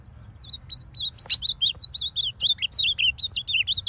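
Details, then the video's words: Wild male Ultramarine grosbeak from the Brazilian Northeast, a masked bird moulting into full blue plumage, singing loose in forest; rapid rhythmic run of sweet whistled, slurred notes with occasional sharp high clicks, one bird dominant, quiet background. "Melhor azulão Cantador do Nordeste."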